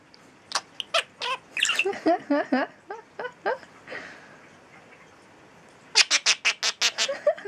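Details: Pet talking bird shrieking an imitation of Pikachu and doing an evil laugh over and over: loud harsh squawks in rapid runs of six to eight, with a laughing series of wavering hoarse notes in between.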